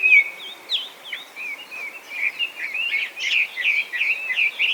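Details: Chinese hwamei, feral invasive species in Japan, starting with a few soft separate whistles that build into a louder, faster run of varied slurred notes, quieter than the bird's usual loud song.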